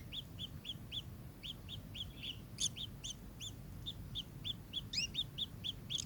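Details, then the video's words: Kingfisher giving a fast, steady series of short, sharp, arched notes, about four each second, with a few overlapping notes near the end that suggest a second caller, over low background rumble. "burung tengkek"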